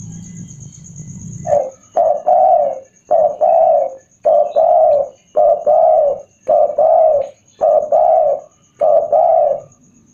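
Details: Spotted dove, an old bird used as a decoy for wild doves, repeating deep, rounded three-part coos in regular paired phrases roughly every second, steady and loud, after a short low rumble at the start.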